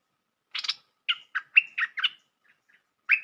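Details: Lure call of a bulbul for trapping: a harsh double note, then a string of separate warbled, bubbly notes about a quarter second apart, ending with one more note.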